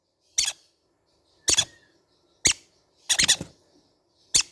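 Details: Young green-cheeked conures making rasping, scratchy squawks, five bursts spaced roughly a second apart, one a rapid stuttering triple.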